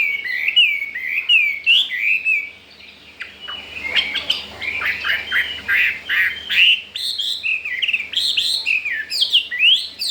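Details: Caged wild-caught Chinese hwamei, four days after arrival and wanting to breed, gives repeated curling whistled notes, a chattery section, then loud downslurred whistles in quick succession.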